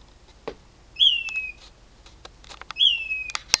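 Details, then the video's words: Loud unidentified bird calling at 4am from a mesquite tree at night: two clear whistled calls, each a short high note sliding down and levelling off, about 1.8 seconds apart, with scattered clicks and faint background sounds. "Strange bird noises at night"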